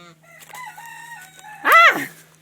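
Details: Chinese geese kept penned as layers, including an aggressive gander with a big knob: drawn-out nasal call held steady, then one loud, sharp rising-falling honk near the end.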